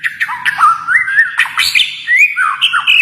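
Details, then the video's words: White-rumped shama from Kalimantan delivering a fast, dense phrase of harsh squawky notes interwoven with sliding whistles that rise and fall. "murai batu Kalimantan"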